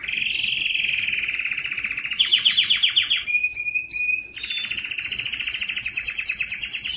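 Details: Singing yellow canary: a steady rolling trill, a fast run of repeated notes, clear whistles, then a long high buzzy roll to the end.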